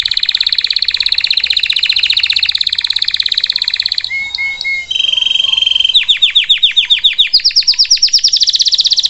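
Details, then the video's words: Canary singing: a long rapid buzzy trill, a brief pause with soft whistles, then rhythmic repeated sweeping notes gradually rising in pitch. "Canary bird singing, Kanarienvogel gesang"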